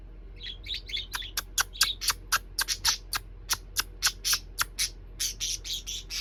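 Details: A pair of pet parakeets calling happily in the evening: bright, rapid chirps and short squawks, about three to four notes a second, sometimes overlapping, with quiet room hum underneath.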